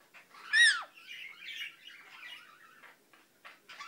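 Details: Pet Indian ringneck parakeet mumbling: soft, scratchy murmured chatter around mid pitch, opened by one loud, sharp, downward-sliding squawk, then a run of low rambling syllables and brief clicks.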